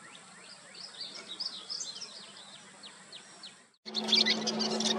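A Western kingbird gives quick, sharp, squeaky kip notes and sputtering chatter in a rapid, uneven run, then louder wind-like rumbling noise cuts in.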